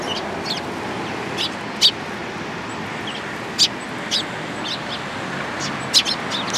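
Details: At a Tenmangu shrine on 24 March 2023, sparrows flying into a cherry tree give a few brief, bright chirps spaced a second or two apart against constant broadband background noise.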